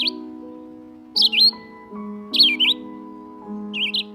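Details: A Red-eyed Vireo in Mill Creek Ravine, Edmonton, sings its song of short, robin-like whistled phrases, each rising or falling, spaced about a second apart, over a steady background of soft musical chords.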